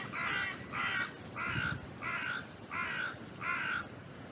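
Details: Crow calling from an oak tree in a cemetery, recorded on a trail cam: six harsh, evenly spaced caws, about one every 0.7 seconds, over a background of wind.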